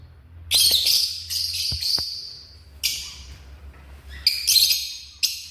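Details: African lovebird giving repeated harsh, buzzy squawks and shrill chirps in quick bursts, some calls drawn out, over faint low hum.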